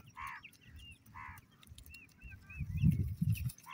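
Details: Partridge chicks: two stronger harmonic calls near the start, then thin high peeps, with low thudding noise building toward the end.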